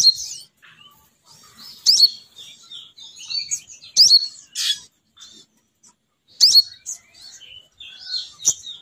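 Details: Female sogon bird lure call, used to bring males down: scattered bursts of high squeaky chirps and twitters separated by short silences, with some louder sharp notes.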